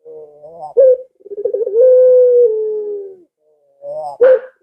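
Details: Barbary dove call played to lure pet doves at home into calling back: a soft stuttering low coo swelling into a long, steady, drawn-out hooting note, then another short bubbling coo.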